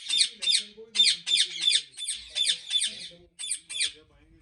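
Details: A rapid series of about a dozen shrill, raspy squawks comes from ringneck parrots at a Pakistani breeding farm, evenly paced with a short pause before the last few, over faint low tones.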